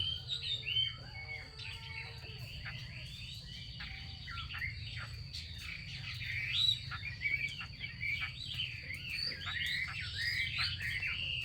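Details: A female Chinese hwamei calls in the 'xùy' style meant to prompt males to sing. Quick twisting whistles and chattering slurs stream continuously, with a constant high-pitched electrical tone and a low background rumble underneath.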